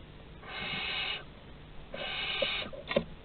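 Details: Barn owls at a nest box in Théding, France, on 30 August 2020, three birds together; two long harsh hissing screeches of about a second each, with a short click-like note at the end.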